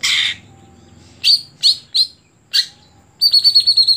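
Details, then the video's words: Greater green leafbird song: a brief noisy burst, then separate sharp high chirps about every half second, ending in a rapid, ringing trill of repeated high notes. "Ketika Cucak Hijau Sudah Tidak Jalan Gantangan"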